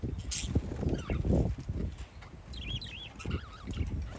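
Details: Parakeets chirping outdoors on a windy day: a few wavering, whistled chirps that rise and fall, clustered toward the end, over steady low wind rumble.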